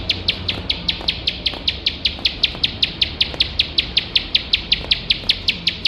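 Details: Bar-winged prinia singing nonstop for competition-bird training, its high, sharp chips delivered in a very regular rapid series of roughly five per second, background quiet apart from faint low noise.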